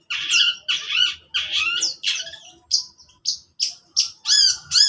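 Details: Morning song from a long-tailed shrike: a run of loud, harsh, rasping phrases, then a series of shorter sharp chirps spaced roughly a third of a second apart, ending in two strong buzzy notes.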